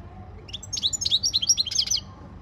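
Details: A European goldfinch gives a training song, a fast, liquid twitter of rising and falling chirps lasting about a second and a half over a quiet background.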